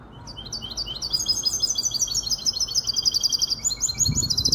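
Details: Young goldfinch hybrid, five months old, from Casablanca, gives a sustained stream of bright, fast twittering and trilled phrases, growing louder, with a faint low thump near the end.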